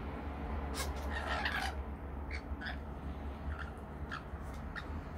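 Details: While rainbow lorikeets feed on nectar mix, a quick run of scratchy, broadband squawks comes early, followed by sparser sharp chips every half second or so, all above a constant low droning background.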